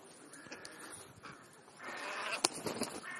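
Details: Crows calling while feeding during a mid-morning snack between breakfast and lunch; a few short harsh caws and rasping notes stand out against background rustling, with a sharp click near the end.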